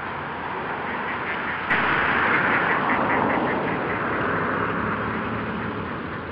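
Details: Ducks quacking in a fast, rough run of calls, about three a second, over a steady background hiss, early morning on June 7, 2010, in Forest Park, St. Louis, Missouri.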